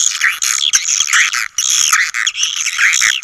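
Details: Swiftlet calling sound played to attract swiftlets: dense, continuous high twittering and buzzy chattering in overlapping bursts, with short breaks about every half second.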